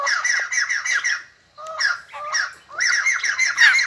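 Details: A white-crested laughingthrush singing and dancing gives harsh, chattering squawks in rapid bursts, with a short pause before a louder, more varied run of strident notes.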